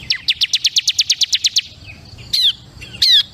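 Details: Ciblek kristal, a Bar-winged Prinia, sings a rapid string of about a dozen sharp, high, evenly spaced notes, then pauses before two short buzzy, scratchy bursts.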